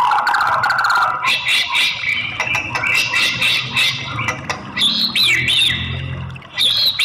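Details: Murai batu female singing to stir a male into song: dense stream of varied chattering notes and buzzy phrases, ending in looping, slurred whistles, loud and without pause.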